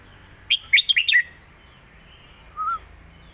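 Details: Red-whiskered bulbul, a caged competition bird, delivering its master song for young birds to learn, alternating with lak wai: a fast, sweet, bubbling phrase of about five notes, then a soft low whistle.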